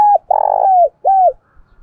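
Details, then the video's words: Decoy spotted dove calling to provoke fighting, in the thổ bầu voice style: a short hooted note, then a long buzzy coo falling at its end, then a clear downslurred coo, all low and mellow. "Chim Cu Mồi Thúc Đấu"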